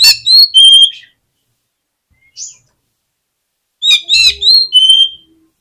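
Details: Oriental magpie-robin singing to provoke other birds: clear whistled notes and quick chips in two short phrases, with a long quiet gap holding one faint high note between them.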